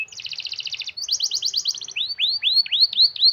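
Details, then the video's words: Canary rolling song for prompting lazy canaries to sing: two buzzy rattling trills in a row, then a run of sharp rising-and-falling whistled notes repeated about every quarter second. "Kenari Gacor Ngerol Panjang Rapet Cocok sekali Buat Pancingan Kenari Malas Bunyi"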